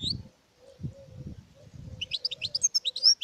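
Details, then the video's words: Goldfinch singing: after a stretch of low rumbling handling noise, a quick run of high, sharp, tinkling notes and twitters tumbles out over the last second. "Goldfinches(carduelis) Amazing Singing Compilation"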